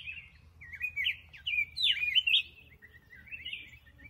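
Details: Black-crested bulbul pouring out a continuous run of fluty, wavering whistles that swoop up and down, loudest in the middle, then trailing off into softer notes.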